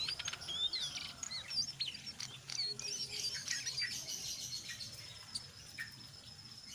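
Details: Brown jongkangan in busy ngeriwik style blended with ngeplong, a lure for other jongkangan: fast, high, scratchy twittering and short whistled slurs, fading somewhat toward the end.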